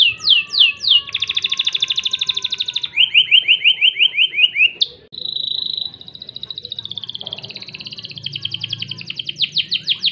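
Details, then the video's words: Crested canary delivering rapid repeated downslurred notes, rolling trills at two pitch levels, a brief pause, then long fast-pulsed trills and more sharp repeated whistles. "KENARI JAMBUL LOPER CENGKOK GURIH"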